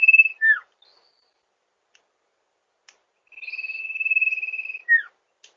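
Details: Sirtu calling in a lure recording for rice-field birds: a buzzy trill ends in a falling slurred whistle, then a silent gap with faint ticks. A second long, level, high trill also closes with a sharp downslurred note.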